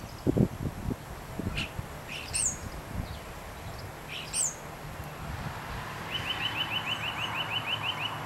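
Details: Common starling by its freshly furnished nest box before seven in the morning, 16 April 2012, waiting for its mate: a few thin, high, falling whistles, then a fast, evenly repeated clicking rattle lasting about two seconds, over low rumbling background noise.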